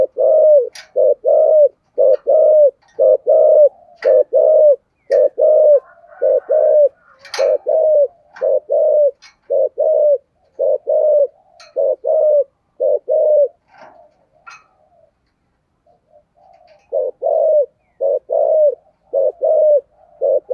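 A spotted dove gives deep, mellow coos in steady runs, with faint chirps from other small birds.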